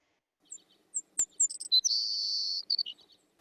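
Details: Grassland sparrow of farm pastures sings its thin, high 'sit sit sit' chips, then a long breezy buzz and a few closing notes; a single sharp click sounds early on.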